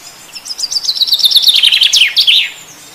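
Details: Chaffinch song: a quick run of bright, high notes stepping steadily downward in pitch over about two seconds, finishing with a sharp terminal flourish; no other sounds.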